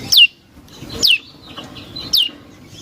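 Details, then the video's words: Lure song of a prinia (prenjak lumut): three clear whistled notes, each sliding quickly down from very high to high pitch, spaced roughly one second apart over a quiet, faintly hissing background. "Suara Burung Prenjak Lumut | Pancingan Prenjak Lumut Isian Sekali Denger Langsung Nyaut"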